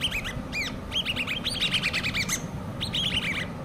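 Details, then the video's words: Hand-reared common babbler chicks calling: clustered, rapid squeaky chirps with arched, rising-falling notes, given in bursts through the clip over a low background hum. "COMMON BABBLERS( hand reared chicks )"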